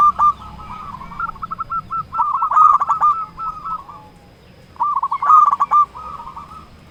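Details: Zebra dove, a local bird, singing to challenge rivals: rolling, stuttered coo phrases in two bouts separated by a quiet pause, with sharp clicks between notes.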